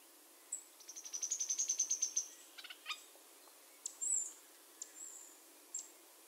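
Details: Sharp-billed treehunter giving a short, high, rapid trill that swells in volume for about a second and a half. Scattered thin high chips and whistles follow over a steady background hiss.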